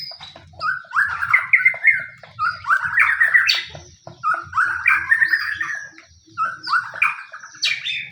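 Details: Provoking song of a white-rumped shama meant to make other shamas sing along: repeated rich, rising warbled phrases of mid-pitched notes, each burst about a second long with short gaps between.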